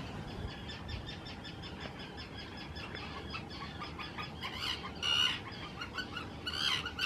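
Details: Early-arriving Common terns in noisy courtship, taking nesting areas on islands at Israel's Hula reserve in spring 2018; busy rapid chattering from many birds builds into two loud, harsh shrieks near the end.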